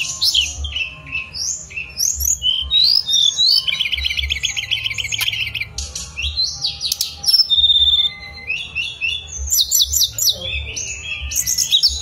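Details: Mangrove blue flycatcher singing energetic whistled phrases mixed with buzzy rapid trills and sharp clicking notes, nearly nonstop, over a low hum.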